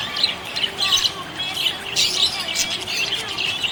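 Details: Happy budgerigar delivering loud scratchy chirps and squawky warbled phrases in quick succession, several bursts each second.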